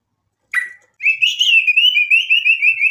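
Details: White-rumped shama in full energetic song, a recording meant to provoke other shamas into answering; one sharp note, a short pause, then a long rolling warble wavering around a steady mid-high pitch.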